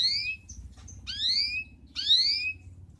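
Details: Excited male canary singing to teach young canaries and stimulate females: three bright rising-falling swept whistles, each about a third of a second, separated by short pauses, with faint low hum beneath.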